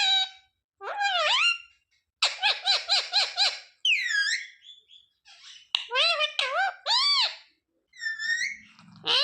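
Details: Rose-ringed parakeet talking, repeating familiar words like papa and mithu; clear harmonic syllables, a quick string of five to six pulsed notes, downward-sliding whistles and arched squeaky calls, with a faint low buzz near the end.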